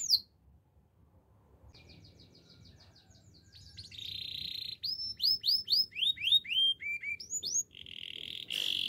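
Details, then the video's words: Canary starting quietly with a soft repeated tick series, then a loud buzzy note, a run of upswept whistles, and a final harsh buzz. "Bird sounds canary chirping"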